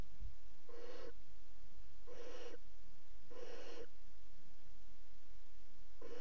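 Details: Barn owls at a nest box in a water tower during mating, giving drawn-out breathy hisses of about half a second, repeated roughly every second and a quarter, over low rumbling.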